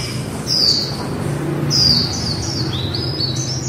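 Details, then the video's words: Quick high whistled phrases from a female white-eye in líu style, the final notes running into a fast stepped warble, over low steady hum. "Khuyên mái líu"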